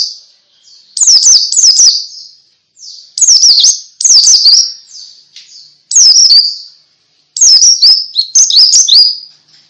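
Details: White-eye in ngalas song, used to make other white-eyes join in. Bright, high, warbled chirp phrases of about a second come repeatedly, five bursts with brief silent gaps between them.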